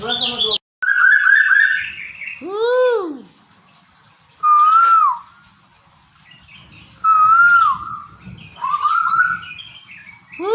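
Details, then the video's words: Caged Tuwu from Bogor, Indonesia, giving loud, clear calls: swooping arched notes and steady whistled phrases, separated by short pauses, with a man speaking nearby. "Tuwu | Suara Asli Burung Tuwu Pemancing Bunyi"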